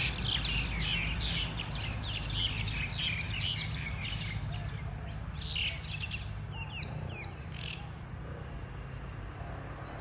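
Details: Mynas ganging up in a fight: busy overlapping chatter in the first half, thinning to scattered sharp notes and quick rising whistles, with a faint high steady tone and low hum.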